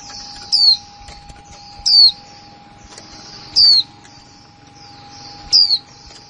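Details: Four brief, piercing notes from a female white-eye, each a thin whistle dropping in pitch, spaced one to two seconds apart. Delivered in the plain 'kick' style over a faint background of high chatter and a low steady hum.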